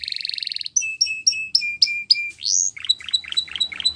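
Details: Timbrado canary singing a buzzy roll, then a row of evenly spaced paired chips, a sharp rising whistle, and a run of softer clipped notes.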